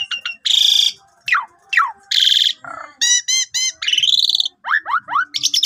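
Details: Long lure song of an Asian pied starling, intended to make quiet, stressed birds sing; loud harsh rasps, falling whistled slurs, a ringing stacked trill and sharp rising notes.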